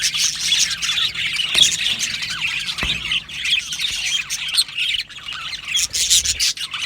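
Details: A colony of budgerigars in an aviary keeps up a constant chirping warble, with scattered louder squeaks and a couple of sharp clicks amid the chatter.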